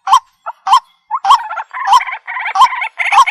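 A waterhen gives loud, harsh croaking notes about every half second, building into an overlapping, chattering run of rasping calls.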